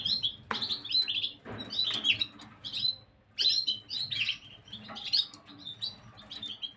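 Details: Gloster canary song recorded on 9 January 2023: lively high-pitched twittering phrases of rapid chirps and rolling trills, delivered in clustered bursts about a second apart, with occasional sharp clicks between phrases.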